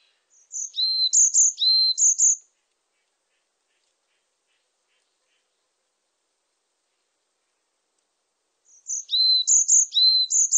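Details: Varied tit song in two bouts separated by several seconds of silence, each a rapid series of high, piercing whistles paired with slightly lower sliding notes.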